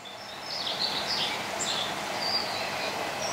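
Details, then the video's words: A European robin singing behind a greenhouse in southwest France gives thin, high, scattered warbling notes, faint over a steady hiss of outdoor background noise. "Vous entendez, il y a un rouge-gorge derrière moi qui s'incruste sur la vidéo."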